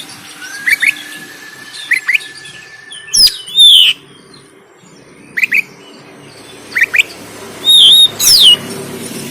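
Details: Oriental magpie-robin 'kacer tarung' fighting song from Banten, phone recording: a long thin whistle with quick chips, then loud swooping whistles and repeated paired chirps, closing with emphatic slurred notes.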